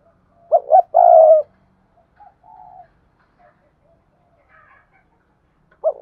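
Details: Decoy spotted dove giving its urging coo: two clipped notes and a long low hoot. Quieter murmuring notes follow, and another phrase starts at the end.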